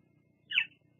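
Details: Single sharp high chirp from a bald eagle female at her Fraser Point nest on an evening visit, 17 July 2022, preening and perching; brief descending squeak against a quiet background hum, captured by nest live cam.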